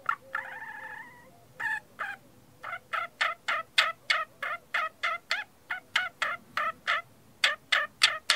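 A parakeet opens with a short nasal, buzzy note, then chirps harshly and rapidly, about three sharp notes a second, with nothing else heard.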